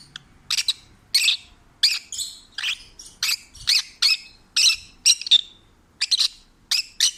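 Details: A pet peach-faced lovebird, a rescued stray, sings contentedly: around a dozen harsh, high squeaky chirps spaced roughly half a second apart, some in quick pairs, with a quiet background.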